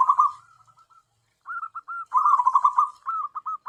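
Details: Local tame zebra dove kept as a lure bird: a trilled coo fading into soft notes, silence, then bursts of quick rolling cooing notes and a final series of short clipped coos.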